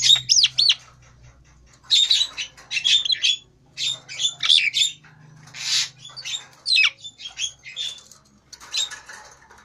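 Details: Nias hill myna whose head has turned grey, singing busily: a run of harsh squawks, clicks and short whistled slides in irregular bursts with brief pauses between; faint low hum in the background.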